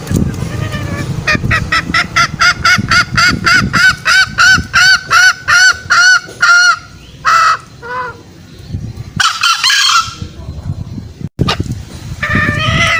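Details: Lure call of green junglefowl, used to draw out wild males for trapping: a quick series of nasal, upward-hooked honks, then a few scattered calls and a rougher, noisier burst near the end.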